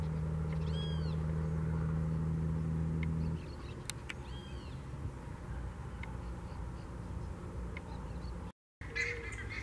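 Buff-necked ibis giving a few loud, nasal, arched honks, spaced apart, over a steady low rumble of engine or wind noise.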